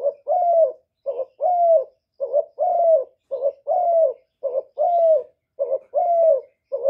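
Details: Spotted dove cooing in a lure recording meant to stimulate newly kept doves. Paired coos repeat steadily, about one pair per second: a short clipped note, then a longer, slightly falling coo. The background is clean.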